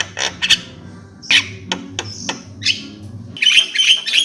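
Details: Javan myna giving scattered harsh squawks and short rasping notes with gaps between them, then a denser burst of scratchy chatter near the end, over a low humming background.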